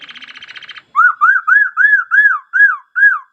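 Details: Laughingthrush singing: a buzzy, pulsing trill gives way to a string of loud, clear arched whistles, each rising and falling, repeated about three times a second.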